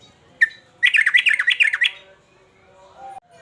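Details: Emotional male sooty-headed bulbul in full song, uplik-uplik sambung garuda style: a single sharp chip, a brief pause, then a rapid run of roughly nine bright, rolling whistled notes over about one second, ending abruptly; a soft low whistle follows.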